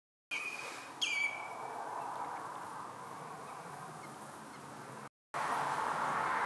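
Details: A common redshank, presumably male and in near-summer plumage, feeding at Marshside RSPB Reserve, Southport, Lancashire, on 24 June 2021, gives a brief, ringing whistle that drops slightly in pitch over a steady rush of wind or water.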